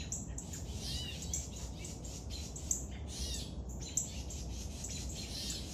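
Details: Woodpecker young at feeding, uttering dense high squeaky chattering bursts with brief pauses between, two sharp clicks standing out, against constant low-pitched background hum.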